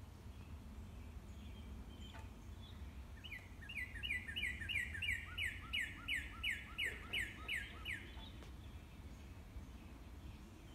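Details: A Northern cardinal's morning song rises out of quiet background noise as an accelerating string of about a dozen down-slurred whistles that grow louder and then stop, leaving low ambient rumble.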